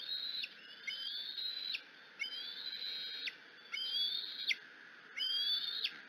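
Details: Excited bald eagle eaglet screeching at its mother at the Decorah nest in the afternoon; loud whistled screams, each slurring downward and ending abruptly, repeated in bursts about every second and a half.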